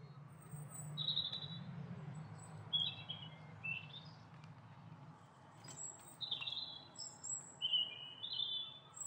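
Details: A pair of Eurasian siskins seen in close-up give thin, high chirps and short twittering notes at irregular intervals over a steady low background rumble.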